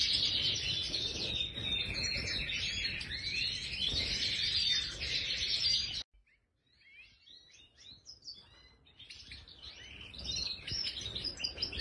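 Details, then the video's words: Major goldfinch in an aviary: loud, dense twittering song for several seconds, then near silence, before softer separate chirps and short trills resume. "Stieglitz Major Voliere طائر الحسون الرائد"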